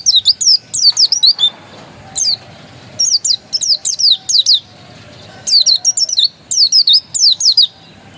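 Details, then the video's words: Pleci or Oriental white-eye of the dakun type, described as genuine; rapid clusters of sharp high downslurred notes in three bursts separated by short pauses. "Suara burung pleci dakun masih asli"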